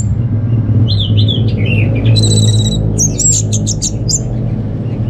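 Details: Orange-headed thrush kept at home in Singaraja, North Bali, recorded as a lure to set other birds singing: scattered high whistles and a sharp, buzzy trilled phrase over a loud, constant low hum.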